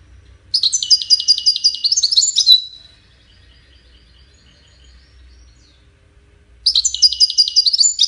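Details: Singing goldfinch, its song serving courtship and communication: a two-second phrase of fast, high, jingling twitters ending in a short buzzy slur, then about four seconds of silence before a similar twittering phrase resumes.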